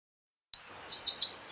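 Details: Eurasian wren recorded at a site in the Czech Republic, opening a song with a burst of high, thin, rapid trilled notes.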